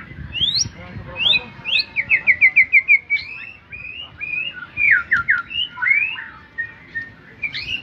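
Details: White-rumped shama singing: loud, varied whistled phrases with rising sweeps, a quick run of about eight repeated sharp notes in the middle, then rich warbled whistles, over a low rumbling background.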